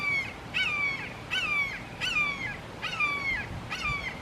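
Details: Three Red-shouldered Hawks calling long, loud and emphatically in a Florida backyard, filmed with a Canon SX70HS: six harsh, descending screamed notes, each drawn out and repeated about every three-quarters of a second, with faint low background rumble.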